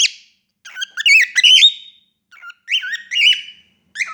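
A female cockatiel sings in bright, warbling whistles with quick rising and falling turns.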